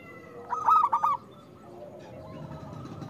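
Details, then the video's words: Zebra dove (local perkutut) song used to coax quiet doves into singing: one brief, bright phrase of quick bubbling coos lasting under a second, followed by a faint, muffled echo of coos and low rumbling noise. "Perkutut lokal gacor Suara Besar Pancingan Untuk Perkutut Susah Bunyi"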